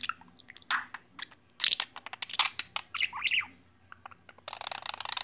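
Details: Indoors, a pet bird chatters in its own language: quick clicks and ticks, scattered squawky chirps and short slurred whistles, ending in a dense burst of noisy chatter, with a low steady hum underneath.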